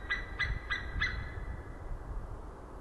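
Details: An eagle, Nova, calls on March 11, 2012: four short, thin, high notes about a third of a second apart, followed by a low rumbling background noise.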